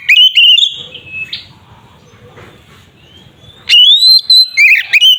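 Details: Kacer (white-rumped shama) fighting song to provoke other birds: a short whistled phrase, a long near-silent gap, then a rising sweep into loud warbled whistles.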